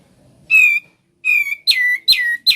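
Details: Ngebren-style song of a sooty-headed bulbul, opening with two steady whistled notes, then three quick buzzy downslurred notes in fast succession in a quiet setting.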